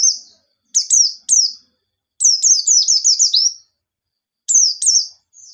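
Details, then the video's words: White-eye lure song to stir other birds into singing: single high descending notes, then a rapid run of about six slurred notes, followed by a pair of notes after a pause. "Burung Pleci Gacor Ngalas Nembak || Pancingan Penggacor Pleci Bahan"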